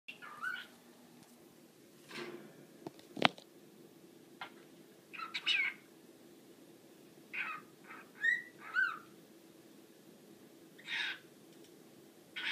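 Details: A male pet cockatiel runs through the words, songs and whistles he knows. He gives short bursts of chirps and bright whistled notes, some sliding up and down, with pauses between.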